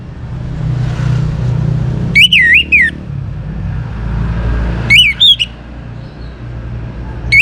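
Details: Young orange-headed thrush singing to stimulate other birds: wavering, warbled whistles in short bursts roughly every two to three seconds, with steady low-frequency background rumble.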